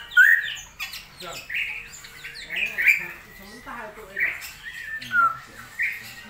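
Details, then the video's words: Straw-headed bulbul during a season of heavy rainfall, uttering short, loud, bubbling phrases spaced roughly a second apart, each a quick slurred rise and fall, with softer chatter between. "CUCAK ROWO GACOR/TIDAK?"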